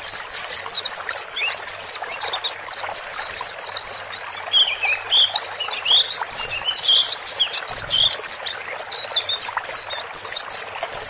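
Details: Male and female white-eyes chatter in a dense, continuous stream of high, thin twittering notes, several birds calling over one another with no pause, played to help a newly bought caged bird settle in.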